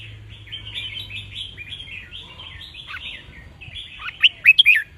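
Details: Red-whiskered bulbul, a kept cage bird, singing a counted-phrase song played to teach young birds and excite others into singing along; steady soft twittering chatter, then a burst of loud, sharp, rising and falling whistled notes near the end.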